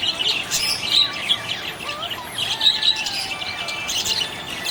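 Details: Budgerigar in a happy mood chattering with high twitters and buzzy notes, while softer sliding whistles rise and fall at a lower pitch underneath.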